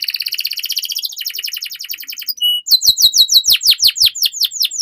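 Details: Canary master song played to young canaries so they sing sooner: a long, high, rattling trill shifting pitch midway, a short pure whistle, then loud descending notes repeated about three times a second.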